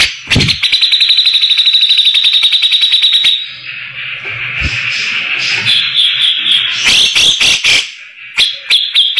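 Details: Grey-cheeked bulbul, a rough-voiced tutor bird for white-rumped shamas: a long, rapid, even trill of high buzzy pulses, a softer drawn-out rasp, then several sharp harsh strokes and a closing trill fragment.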